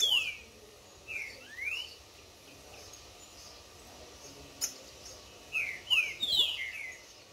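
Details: Tournament green-winged saltator (Saltator similis) warming up in the woods, in a singing duel with a free wild rival: loud, clear whistled phrases of quick down-slurred notes, one short burst, then a longer phrase, over steady hiss.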